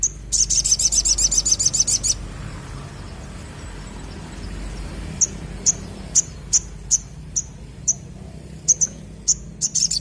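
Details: Crimson sunbird in lively song, opening with a fast, shrill, buzzy trill of about two seconds, then a string of separate thin, piercing chip notes roughly every half second, with a low rumbling background.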